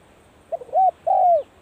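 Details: Spotted dove calling in practice as the cold season starts. Soft stuttering notes lead into an arched coo, then a long falling coo, close and clean.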